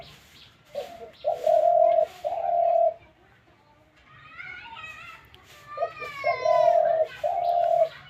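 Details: Caged spotted dove recently obtained and kept at home, said to call all day. It gives two low, hollow cooing phrases, each a short note followed by two long, steady coos, with a man talking in between.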